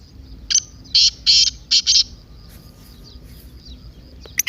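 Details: Partridge giving its excited 'masti' call, used to rouse a silent kept partridge into calling: a phrase of four or five harsh, rasping, high bursts, the middle ones longer, over a quiet background with a faint steady hum.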